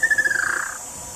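Tataupa Tinamou: a quick run of mellow notes that speed up and slide slightly lower, blurring into a short trill, over a steady high insect hiss.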